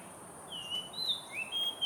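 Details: Oriental magpie-robin calling in the background on a hot afternoon in Singapore: a short run of clear, high whistled notes, some sliding upward and some held steady, over a faint outdoor hiss.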